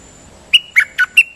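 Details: Dok taeng bird sung as a decoy, with four whistled yet harsh notes spaced evenly, the third lower and buzzier, ending on a higher note that trails into a thin tone.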